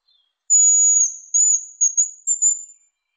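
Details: A very high, sibilant hazel grouse whistle: one long steady note, a shorter wavering note, then several brief clipped notes and a final trailing flourish. No other sounds are present.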